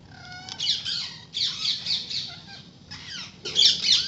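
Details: Flock of parrots visiting daily near a house, chirping and squawking: dense bursts of harsh, buzzy, overlapping calls in several groups, with a few short tonal notes at the start.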